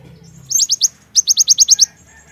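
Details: Javan myna giving quick runs of sharp, high, downslurred chirps, a short group of four followed by a run of seven, over a faint low hum.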